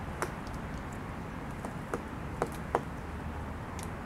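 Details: A Pileated Woodpecker excavating a hole while drilling for insects chips at wood: sharp, irregular knocks spaced roughly half a second to a second apart, over a steady soft hiss.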